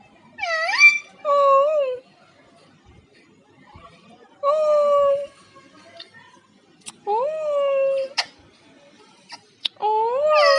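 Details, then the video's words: Pet parrot chattering to its owner: several nasal, steady-toned phrases with rising starts, spaced a few seconds apart, interspersed with sharp clicks and kissing-like smacks. "Parrot Laxmi talking. And kissing to Mummy."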